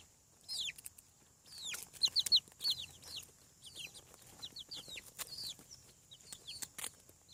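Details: Newly hatching chicks on a farm give loud, high descending peeps in rapid, irregular bursts, several overlapping at once, with brief clicks and taps between them.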